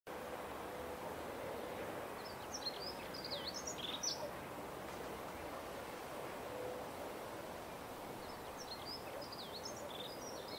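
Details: A dunnock (hedge sparrow) perched in a hawthorn tree sings two quick, high, jangling warbles about two seconds long, roughly six seconds apart, over steady wind and rustling noise.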